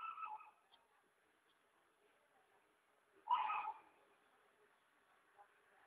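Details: Hyacinth macaw (arara azul) on a rural property at Ilha Solteira by the Paraná River, Brazil: one harsh, raspy squawk of about half a second after a shorter rough note at the start, with quiet pauses between.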